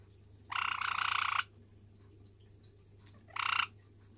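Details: A white Java sparrow, recorded on 21 December, gives two harsh, buzzy calls, the first nearly a second long and the second brief, over a low steady hum.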